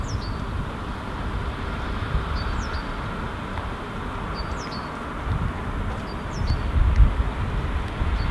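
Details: Three-syllable song of a great tit, recorded unseen in Helsinki, Finland, February 2016: short high whistled phrases of sliding notes repeated roughly every two seconds, against constant low background rumble that swells near the end.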